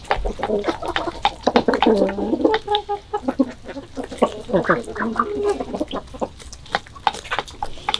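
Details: Several chickens in the morning, February 2022, keeping up dense overlapping clucks and throaty murmurs, with occasional sharper notes rising above the chatter.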